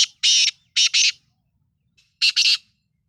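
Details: Black francolin of the Sindhi lal potiya type, harsh grating bursts in a loud phrase of three notes, then a pause, then the phrase again.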